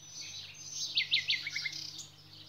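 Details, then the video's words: Nightingale producing a quick set of four or five loud, ringing descending notes within a second, then softer trailing notes, with a low steady hum underneath. "bülbül resitali"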